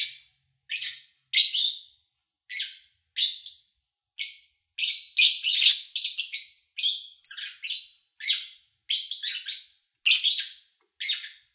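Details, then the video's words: Kept lovebirds in August 2019, recorded cleanly while the owner was out of town; sharp, shrill chirps repeated every half second or so, sometimes bunched into rapid doubled calls. "Sounds of Lovebird Chirping"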